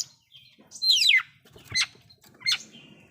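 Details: Oriental magpie-robin's loud song with filler phrases, said to rile other magpie-robins: three sharp phrases, a bright whistle that slides downward, then two shorter descending chirps with pauses between.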